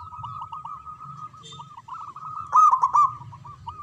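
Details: Strong local zebra dove in manggung song, played to encourage silent doves; an almost unbroken stream of short coos with a loud rolling burst late in the clip, over a steady low hum.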